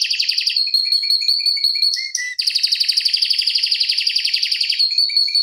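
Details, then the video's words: Canary with a long, fast rolling song for tutoring other canaries: steady whistled tone with rapid trills, a brief break, then a dense pulsing roll and a return to the whistle. "Kenari Masteran Suara Gacor Ngeroll Panjang Untuk Pancingan Maupun Masteran"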